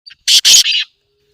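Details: Black francolin calling, a recording used to prompt silent caged francolins to start calling. A faint short note leads into three loud, harsh, rasping bursts in quick succession, then silence.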